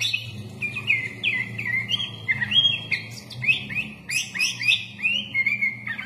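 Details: Sooty-headed bulbul (kutilang) singing a full-fill song: a series of short, upward-flicked chirps, roughly one each half second, over a steady low background hum.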